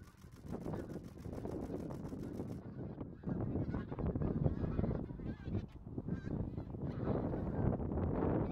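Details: Bean geese in a large flock, a dense continuous clamor of overlapping honks and cackles, with a rapid clicking rustle at the start and the chorus growing louder toward the end.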